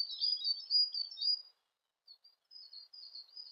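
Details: Siberian blue robin: a thin, high twittering warble of fast squeaky notes for about a second and a half, a short pause, then softer scattered high chirps resuming.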